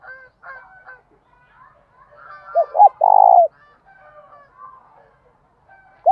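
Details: Spotted dove lure call meant to attract wild doves: one full phrase of two short hooked notes and a long, throbbing coo. Soft chirps from other birds come before and after, and another phrase starts at the end.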